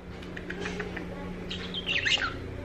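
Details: Pet parrot at night, settling down to sleep; it had earlier been saying "pollito" a lot. A steady low hum at first, then a brief burst of bright, warbling chirps near the end.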